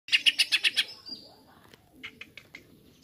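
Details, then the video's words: Greater green leafbird song used as a lure to provoke other birds: six loud buzzy chirps in quick succession, a thin high whistle, then a softer run of short chirps. "Masteran/pancingan cucak ijo langsung emosi"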